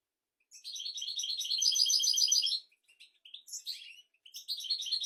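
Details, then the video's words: European goldfinch song, billed as royal and meant for tutoring goldfinches and canaries: a fast, bright, liquid twittering phrase lasting two seconds, followed by shorter broken chirps and renewed twitters. "تغريد طائر الحسون ملكي"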